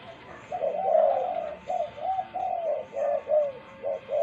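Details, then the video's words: Spotted dove gives a run of mellow, low coos, each a short rounded hoot in quick succession, close and clear with a faint steady hum behind. "Spotted Dove Cooing"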